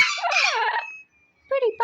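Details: Pet double yellow-headed amazon singing sweetly to its owner at the end of the day: a warbling, throaty babble, then after a pause two short whistled syllables like mimicked speech; a woman talks nearby.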